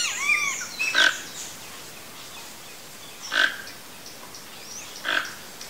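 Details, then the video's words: Wild Toco toucan (Tucanuçu) calling: short, harsh, croaking bursts, one about every two seconds, three in all. Faint whistles from other birds sound at the start over a steady hiss of background noise. "Toco Toucan Singing, Free Birds in Wild - (Ramphastos toco) Tucanuçu"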